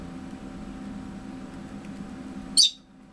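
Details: A rosy-faced lovebird, a boarded bird being trained to a "rin-rin" call, gives one sharp, shrill chirp near the end, after nearly three seconds of low indoor hum.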